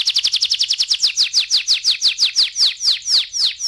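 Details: Canary trill starting very fast and high, gradually slowing into broader falling notes about three per second by the end.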